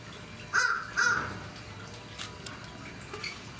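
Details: Galah at Fukuoka Municipal Zoo, Fukuoka, Japan, recorded 23 April 2019: two short harsh screeches about half a second apart, then quiet background with faint distant sounds.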